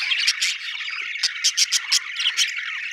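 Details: Budgie chirping: a warbled background chatter punctuated by a series of short, sharp, evenly spaced high chirps, about five in quick succession.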